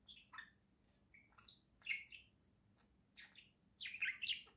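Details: Morning chirping from two pet budgerigars: quick bright chirps and squeaky warbled notes in uneven bursts, each lasting under a second.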